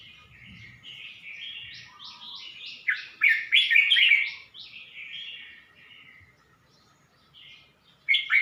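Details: Red-whiskered bulbul in a cage at Suan Phueng, Ratchaburi, Thailand, 29 May 2020: a long run of quick, clipped, chirpy notes climbs to a loud tumbling warble, followed by softer phrases and a brief final burst.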